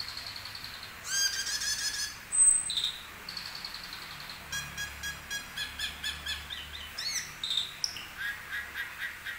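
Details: Asian glossy starling singing a varied, mimicry-filled song: high whistles and chirps, then a long run of quick, evenly spaced clicking notes with interleaved whistled slurs.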